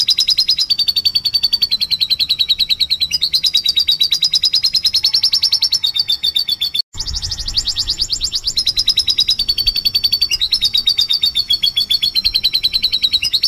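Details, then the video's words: Canary singing with gusto as a lure song to prompt other canaries, a fast, continuous stream of high trills and rolling notes, shifting pitch in long runs with only a brief break. "Kenari Gacor Nembak"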